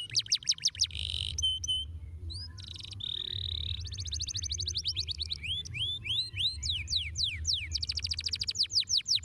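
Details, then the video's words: Canary song played as therapy and lure so young canaries learn to roll quickly: fast, varied phrases of rapid rolling trills, sweeping upslurred notes and bright repeated chips, high and continuous, over a low steady hum. "terapi bunyi kenari paud agar cepat ngeroll dengan pancing kenari"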